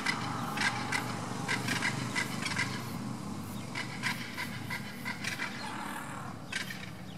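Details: A southern crested caracara calls with neck movements at San Cristóbal, Santa Fe, on 11/2/2024: a dry, grating rattle of rapid harsh clicks, about three per second, in loose bursts over a low rumble of wind or traffic.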